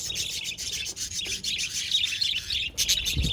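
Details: Budgies recorded on 22 January 2024, chattering in a dense, continuous run of high, scratchy chirps and warbles with brief gaps and a louder burst near the end.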